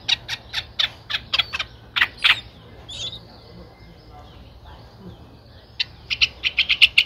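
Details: Streak-eared Bulbul nestlings, nine days old, Ubon Ratchathani, Thailand, 11 April 2023: a steady string of raspy, clipped chirps, a lull of about two seconds with a faint whistle, then a fresh run of chirps at the same quick pace.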